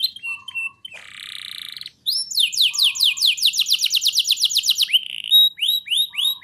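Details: Canary song used as a lure and master recording to prompt young canaries to sing: a high whistled note, a buzzy held trill, then a fast run of rising sweeping notes, about four per second, ending in looping whistles.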